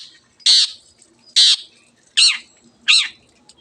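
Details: Long-tailed shrike (cendet) calling to provoke silent birds into song: four loud, nasal, harsh squawks, each about a quarter second long, spaced under a second apart.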